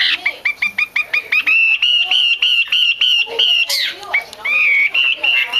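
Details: Chinese hwamei female used to excite males into singing: a series of quick rising whistled notes speeds into a steady repeated whistle, then a harsh burst and looping slurred whistles.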